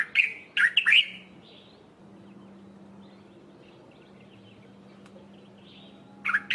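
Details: Early-morning dark-capped bulbul calling from a tree top, giving quick bright chattering notes at the start and again at the very end, separated by several seconds of quiet with a low constant hum.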